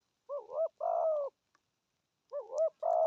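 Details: Spotted dove cooing in its prized 'thổ âm' tone style, with urging 'gù thúc' coos: two phrases, each a short double-warbled note followed by a longer, level, slightly falling coo, separated by a pause of about a second.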